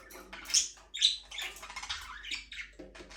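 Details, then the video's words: Budgerigars in a small aviary, flying freely, give mixed scratchy warbles and two sharp high chirps early on, then softer rasping chatter that fades toward the end. "Budgies parrot chirping sound for your lonely bird"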